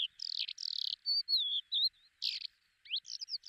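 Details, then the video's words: Lesser short-toed lark recorded in Belchite, Zaragoza, Spain, July 2019, giving loud buzzy chirps and drawn-out whistled slurs, then a short pause and a burst of sharp rising notes. "Terrera marismeña ( Calandrella rufescens ) Lesser Short-toed Lark"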